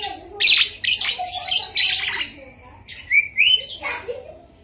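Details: Javan myna, a kept bird, singing a song filled with mimicked lovebird chatter: harsh, noisy squawking bursts followed by two bright rising whistles and a lower trailing note, in a small indoor space.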